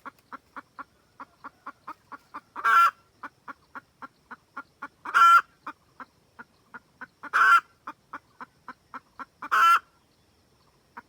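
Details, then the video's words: Trapping-lure recording of a red junglefowl hen calling the rooster: rapid clucking series with four loud, strained squawks spaced a few seconds apart. "Gà mái rừng cực tác gọi trống."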